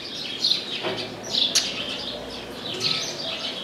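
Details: Chestnut-capped blackbird perched in an orange tree: fairly faint high chirps and short whistled notes spaced across the clip, with a sharp click in the middle and a low rumbling background.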